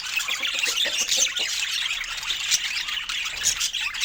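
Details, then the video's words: Budgerigars kept as pets, calling while eating fruit: busy high-pitched twittering with quick chirps and rasping squawks tumbling over one another, steady in loudness. "Cute Budgie Love and Funny Sweet Sounds During Fruit Time"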